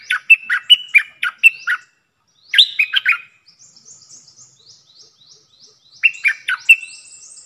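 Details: Decoy red-whiskered bulbul in a cage sings three lively phrases of rolling, fluty chirps, separated by pauses filled with faint thin high notes.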